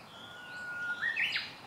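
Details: Japanese bush warbler giving its first song of the season, recorded 19 March 2016: a long, steady, level whistled note held about a second, then a quick rising, warbled flourish ending high and sharp, over quiet background.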